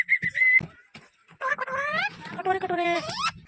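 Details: Ringneck parrot greeting in talk-like phrases: a few thin whistled notes, a pause, then a long run of raspy, upward-gliding speech-like syllables over a low rumbling patter.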